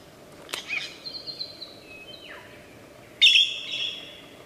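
Superb lyrebird mimicry: a sharp click, a long high whistle sliding down, then a loud burst of rich, rattling notes over a low background hiss.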